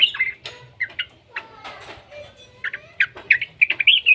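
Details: Young yellow-vented bulbul, used as a lure to get other bulbuls singing, gives short bubbly whistled notes in scattered bursts, some rising, some slurred, with brief gaps and faint low background noise.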